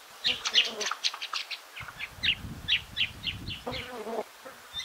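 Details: Several White-browed woodswallows feeding at lunchtime at Pengilly Scrub (Mudla Wirra Reserve), South Australia, on 13 November 2021. They hover over dense grass to catch emerging winged ants or termites, giving short overlapping chirpy calls over a low insect buzz.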